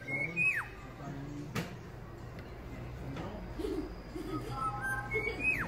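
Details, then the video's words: Kept Black-naped Oriole (Kilyawan) in the Philippines, a newly acquired pet, giving two loud fluty whistles that swoop downward, one near the start and one near the end, between quieter background noise and household sounds. "BLACK NAPED ORIOLE (KILYAWAN) PHILIPPINES 🇵🇭 BEAUTIFUL SOUND(BIRD)"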